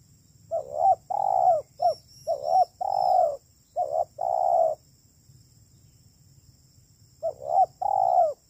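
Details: Spotted dove calls used to lure birds for trapping: repeated phrases of soft, throaty coos in quick groups, a pause of about two seconds, then more coos, with a low rumbling background and faint high hum.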